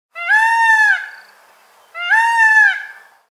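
A peacock gives two loud, nasal, wailing calls, each just under a second long and slightly rising, about two seconds apart, with nothing else heard.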